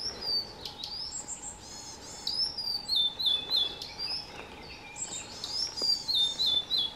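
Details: Blue-and-white flycatcher pair carrying caterpillars to fledging chicks, Shuhogahara, Kobe, Japan, late May 2020; bright whistled phrases of quick descending slurred notes, repeated in bursts with short pauses, plus a few sharp clicks.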